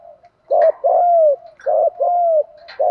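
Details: Spotted dove used as a lure to draw wild doves in, in the "Đồng" voice style; low hooting coos, each a short note followed by a longer falling coo, repeated in pairs.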